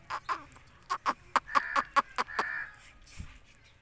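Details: Indian ringneck parrot giving a rapid series of short, harsh, harmonic calls, about a dozen in quick succession, ending in a longer drawn-out nasal note, with a low background hum.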